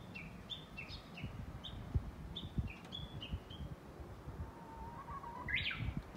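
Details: Japanese bush warbler, recorded 11.3.2020, giving a run of brief high whistled notes alternating between two pitch levels. Near the end comes a louder rising chirp and a faint low hum, with scattered soft knocks underneath.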